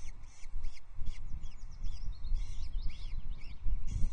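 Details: Osprey calls from a nest at Loch Arkaig on 23 May 2024, while a chick wanders off and its mother gathers it back; a run of short, high, slurred chirps fills the clip over heavy low wind rumble.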